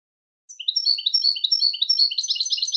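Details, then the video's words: Goldfinch song used for training goldfinches: a steady flow of fast, high chirping notes that grows denser and more jangling toward the end. The recording is clean, with no other sounds. "Super Song To Teach And Listen To Goldfinches Birds"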